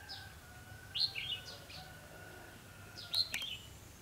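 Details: Red-whiskered bulbul acting as a decoy for bird trapping, 28 October 2016; two loud, clear whistled phrases of quick slurred notes, about two seconds apart, over a steady low hum and faint background birds.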